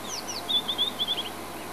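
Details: White-browed Scrub-robin in a buffalo thorn, Djuma, South Africa, singing its territorial and courtship song: two falling slurs followed by a run of rapid, ringing whistled notes that tail off.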